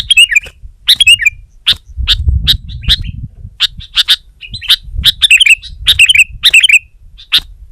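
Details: Sooty-headed bulbul singing energetically to press a rival, with short bubbly warbled phrases mixed among sharp, clicking snaps and a low rumbling background.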